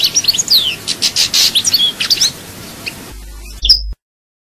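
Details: European goldfinch, Chaayba song from Souk Ahras in Algeria: a dense, bright run of twittering chirps and downward-sliding whistles lasting about three seconds, then the sound cuts off after a brief sharp note.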